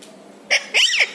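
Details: Pet Indian ringneck parrot talking with its owner during word training: a short harsh burst, then a longer rising-and-falling vocal phrase, each lasting a fraction of a second, with quiet room background.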